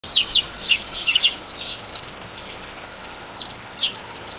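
A lorikeet gives a few soft, high, scratchy chirps in a quick cluster, then two sparse chirps after a pause.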